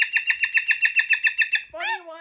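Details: A male pet Moluccan cockatoo, in an evening meltdown resisting being put in his cage for bed, gives about eleven quick, harsh chattering notes, roughly eight a second, then a brief nasal, wavering squawk.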